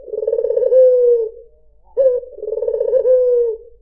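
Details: Two soft coos from a white dove (puter putih) meant to draw in other birds, each a low pulsing roll fading into a long, gently sinking tone, separated by a short silence.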